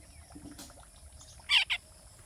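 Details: Baby spiny babbler with two loud, harsh, buzzy rasping bursts close together, the first longer, then a shorter one, against a quiet background of faint chirps.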